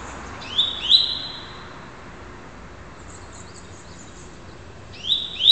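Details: Red-crested cardinal, a lively young bird still in juvenile colouring and prone to repeating itself, gives two quick bright whistled notes, then a long pause, then another sharp whistle near the end, against a soft steady hiss.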